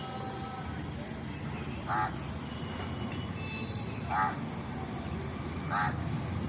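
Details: Crow calling, three short harsh caws spaced about two seconds apart over a steady roar of traffic-like low noise.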